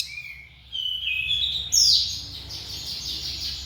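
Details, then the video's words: High, thin whistles from a cililin, rising in steps into a bright upward-sweeping note, followed by a faint high warbling. "BURUNG CILILIN SUARA NEMBAK TERPANJANG"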